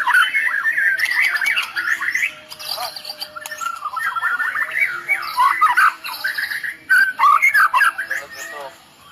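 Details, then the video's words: Medan white-rumped shama pouring out a cililin-style 'tembakan' song: jumbled mid-pitched warbles and chattering notes in rapid succession, with loud choppy bursts toward the end. "Tembakan murai medan full cililin bikin drop musuh"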